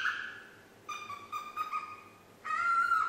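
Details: Young female parrot, nine months old, practising the tune Yankee Doodle without quite managing it; three clear whistled phrases of steady, slightly rising tones with rich overtones, separated by short pauses, the last phrase held longest.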